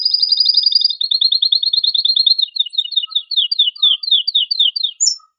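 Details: Excited male canary song meant to spur mating in canaries, running as fast rolling trills that slow into distinct descending two-note slurs, ending with a brief high note.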